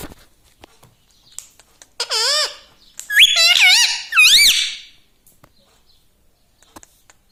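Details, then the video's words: Talking pet parrot in three quick squeaky bursts with wavering, up-and-down pitch, surrounded by faint clicks and handling noise. "Talking parrot || mitthu mitthu || tota || Bolne wala tota"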